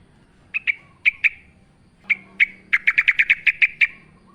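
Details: Yellow-vented bulbul singing energetically in the wild, used as a lure to get kept bulbuls singing: a pair of sharp chirps, another pair, then a fast run of about ten bright, evenly pitched notes.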